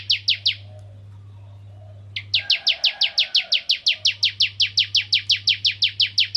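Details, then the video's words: Bar-winged prinia (ciblek kristal) song used to draw other prinias into singing: three sharp downslurred chirps, a brief pause, then a long rapid run of bright repeated notes with a faint low hum behind. "Burung Ciblek Kristal Gacor Untuk Pancingan Burung Ciblek Semi Ciblek Gunung Dan Ciblek Kristal"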